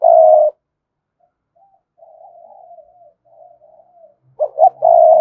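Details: Spotted dove cooing to stimulate wild doves. A long low coo ends the opening, faint murmured coos follow, then a full phrase of two short rising notes and a sustained coo.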